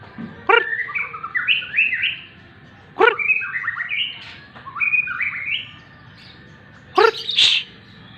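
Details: Morning sunning white-rumped shama delivering repeated short bursts of varied whistled phrases, each introduced by a harsh chattering note, with a loud hissing shush near the end.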